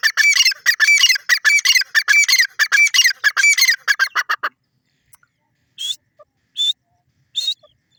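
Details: A Sindhi teetar, the grey francolin, delivers a loud, rapid, grating series of shrill repeated phrases for over four seconds. After a pause come three isolated piercing high notes.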